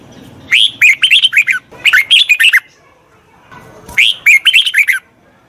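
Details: Red-whiskered bulbul singing, a recording meant for training wild-caught birds: three loud phrases of cheerful, rolling, warbled notes, rising then dropping, each lasting under a second with brief gaps between.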